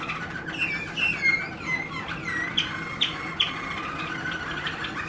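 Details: Singing Waterslager canary delivering smooth gliding whistles that dip and rise, interrupted by a few short bright clicked notes, all over constant low hum.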